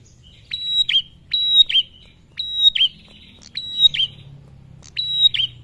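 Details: Male bar-winged prinia, a lure to get other prinias calling: five loud, evenly repeated phrases about a second apart, each a high steady whistle ending in a sharp clicking downslurred note, with soft buzzy trills in between.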